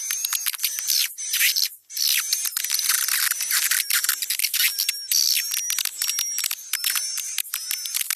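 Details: Swiftlet lure recording for swiftlet bird houses, about 20% chick calls and 80% adult calls by volume: a dense, nonstop chatter of dry clicks and high, buzzy twitters, packed tightly with barely a pause.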